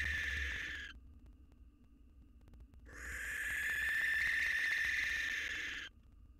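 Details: Male barn owl courting a new mate three days after his partner died, a fledgling with him in the box and the new female outside. Long harsh screeches with a tonal core, one brief then one sustained for about three seconds.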